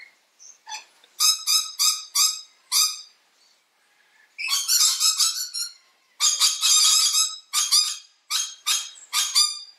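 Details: Mitchell's lorikeet, a parrot in which both sexes call frequently and very loudly; harsh, grating screeches in rapid pulsed bursts, several series separated by short pauses, in a quiet setting.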